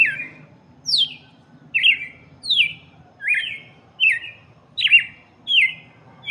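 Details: Loud, rapid red-cowled cardinal song for chicks, eight falling whistled phrases in about six seconds, each sweeping sharply downward, with a soft low hum behind.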